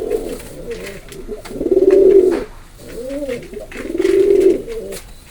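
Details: Indoor pigeon cooing: two long, low, purring coos swelling and fading about two seconds apart, with softer throaty murmurs in between.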